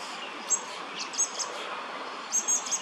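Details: A young American robin, now foraging for food on its own without its mother, gives thin, very high peeps: two single notes, then a quick run of three, over a steady background hiss.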